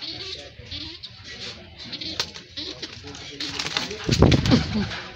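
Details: Pet pigeon close to its owner indoors, nuzzling and kissing him; low soft cooing phrases repeat over a man's voice talking, with rustling and a louder burst of handling noise near the end.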